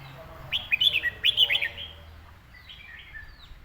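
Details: Red-whiskered bulbul song in a style named ลมเย็น: a quick phrase of about eight bubbly, warbled whistled notes, followed by fainter sliding whistles.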